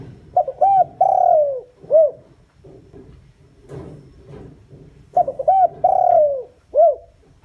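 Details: Lure call of a decoy spotted dove meant to bring wild doves in. Two repeated phrases: brief notes, a sustained dropping coo and a short rounded closing note, with soft murmuring noise between.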